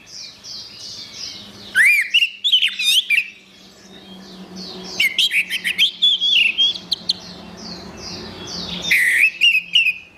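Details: Song of the orange-headed thrush for training songbirds: three energetic phrases of tumbling whistles and quick twitters, separated by pauses. Soft, repeated high downslurred notes carry on between them, over a faint low hum.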